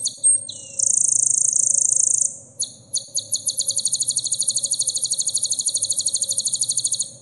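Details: High sunbird song from a recording used to teach caged birds: a few sharp chirps, a long buzzy sizzle, then a quick steady trill repeated about two and a half times per second, over faint background hum.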